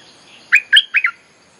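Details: Bulbul song used as a lure for wild birds and to train young birds: a burst of four bright, bubbly whistled notes delivered within about half a second, ending in a quick double note, with faint hiss behind.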